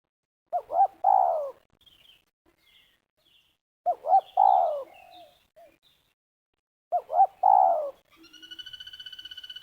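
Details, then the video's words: Spotted dove call used by bird trappers in Liwa, West Lampung, luring doves: short rising notes followed by a long descending coo, repeated about every three seconds; a buzzy electronic tone starts near the end. "Pikat Terkukur"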